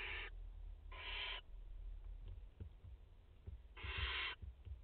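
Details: Barn owls, a mother and four chicks at their nest in France on 30 August 2021; three soft, noisy hisses of about half a second each, with a long gap before the last, amid low background rumble and faint clicks.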